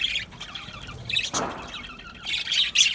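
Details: Budgerigar colony kept in an aviary: high chirps and squeaks, a brief rushing whoosh near the middle, then renewed loud chattering toward the end.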